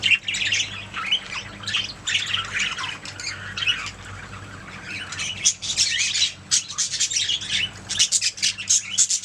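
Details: Budgerigars chirping and squawking in a busy, scratchy chorus of overlapping buzzy notes and harsh calls, rising into dense bursts toward the end, low hum underneath.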